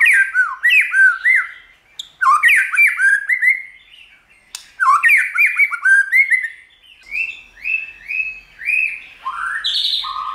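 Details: Caged White-rumped Shama singing a varied song used to stimulate other shamas to sing: bursts of rich descending whistles and slurred notes, several phrases separated by short pauses, with clicks in between.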